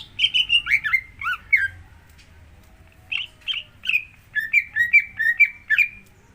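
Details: Greater green leafbird song used as a prompt to get another bird singing: rapid varied chirps and slurred whistles, a short pause, then a run of quick repeated whistled notes.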